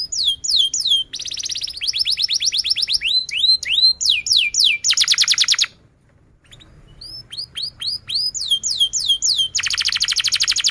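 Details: Canary singing long, energetic song: fast varied phrases of high, sweeping whistled notes, rapid trills and buzzy rattling bursts, with a brief pause mid-way before the rolling trills resume.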